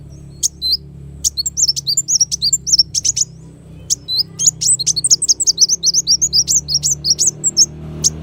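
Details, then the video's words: High, thin sunbird song: scattered sharp chirps that build into a long, fast, evenly spaced run of slurred twittering notes lasting about four seconds. "suara burung kolibri wulung"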